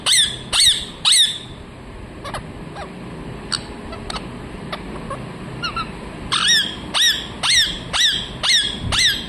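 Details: Three loud grating parrot shrieks open, then a lull with faint, sparse calls. A closing series of six harsh squawks follows at an even pace of about two per second.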